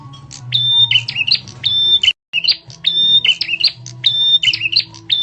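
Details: Bar-winged prinia lure call, described as loud and sharp and used to attract other birds: short phrases of sharp chirps and a thin, steady whistled note, repeated about once a second, with a brief silent gap and a faint low hum.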